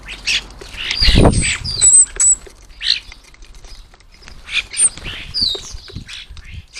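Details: Garden bird table crowded with feeding starlings at lunchtime; loud thumps and scuffles break up short rasping calls, thin high whistles and clicky chatter coming in quick bursts.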